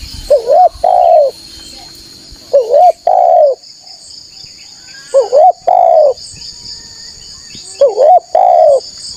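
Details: Spotted dove played to lure wild doves, a lively loud caller giving four coo phrases, each a quick wavering note and a longer falling coo, spaced a few seconds apart, with a shrill background drone.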